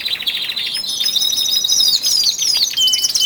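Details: Male canaries, twelve kept indoors, stepping up their singing in early February ahead of spring; dense unbroken chorus of high rapid trills layered with clear sweeping whistled slurs throughout.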